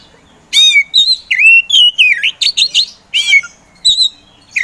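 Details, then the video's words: Oriental magpie-robin, a caged Indonesian kacer kept as a contest songbird, in lively full song: loud rapid whistled notes with sweeping, buzzy slurs, phrases repeated in quick bursts with short gaps, no other sounds. "KACER POCI GACOR"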